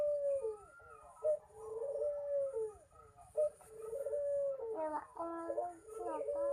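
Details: Local Barbary dove, a young bird still learning its song, gives long wavering low coos with slurred endings, one after another, while faint chirps and a brief harsher burst sound near the end.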